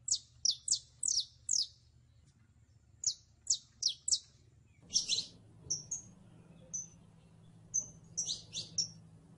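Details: Saffron finch song: bright, high chirped notes sliding downward, given in quick clusters of three or four with short pauses, then sharper whistled and buzzy notes later; a low steady hum underneath.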